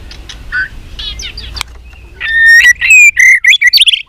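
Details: Contest-style fighting song of a white-rumped shama in training, many-voiced: soft scattered chips give way to loud, rapid rising and falling whistles and trills, with faint low rumbling noise behind.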